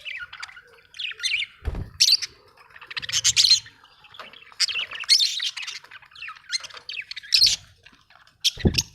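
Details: Scratchy budgie chatter with squawky, buzzy bursts and thin chirps, interrupted by three low thuds, one near the start, one late on and one at the very end.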